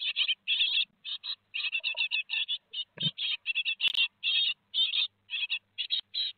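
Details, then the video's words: Nestling great tits at Théding, two days before leaving the nest on 15 July 2020, give a near-continuous run of raspy, hissing chirps in quick clusters, with one brief knock. "2 jours avant l'envol - 15/07/2020 - Les Mésanges Charbonnières de Théding"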